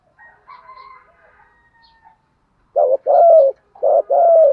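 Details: Decoy spotted dove cooing in the 'giọng thổ' style to provoke rivals. Faint scratchy background sounds come first, then two loud paired coos, a short note followed by a drawn-out falling one.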